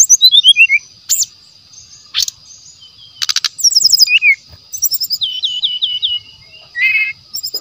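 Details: Lure song of a brown-chested jungle flycatcher, said to carry natural sounds: varied phrases of descending whistled series, dry rattles, rapid repeated chips and a looping warbled motif, with a constant high whine underneath.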